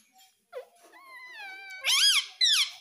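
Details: Pet baby rose-ringed parakeet: a long, level, thin whining note, then two loud, shrill squawks that rise and fall, the second one cut short.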